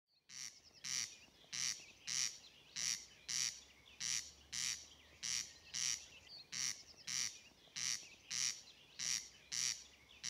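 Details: A corn crake, one of Norway's rarest birds, at Inntjore near Grimstad, Norway, gives its dry, rasping crex-crex: harsh double scrapes repeated steadily about every two-thirds of a second, over a quiet background.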